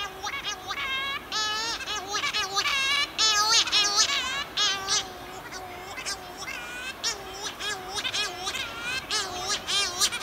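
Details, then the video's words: Night chorus of Cory's shearwaters at a dense breeding colony on Pico Island in 2019, pairs returning from sea to swap incubation duty; overlapping rising-and-falling nasal wails, low droning female notes beneath higher plaintive male cries, calling almost continuously. "call of CORY'S SHEARWATER"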